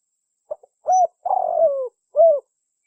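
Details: Spotted dove calling as a trapping lure: a few soft low coos, then a long wavering coo that falls in pitch and a final rounded coo, in a quiet setting.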